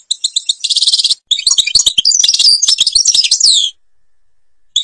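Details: Algerian European goldfinch singing a Babas forest style song: a continuous liquid twitter of high tinkling trills and buzzy rolls, broken by one short pause and ending with sweeping downward slurs before silence.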